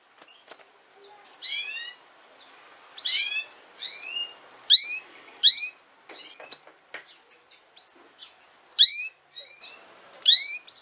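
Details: Canary singing for young canaries to learn from: a busy run of sharp, ringing chirps with descending sweeps, loud and soft notes alternating irregularly, roughly forty per minute, in a quiet indoor setting.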